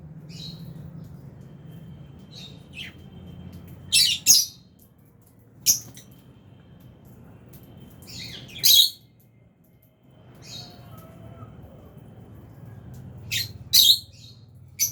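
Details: Lovebirds, albino and Fisher's, kept in an aviary, give shrill, sharp high chirps in irregular clusters of one to three, with quiet gaps between and a low background hum.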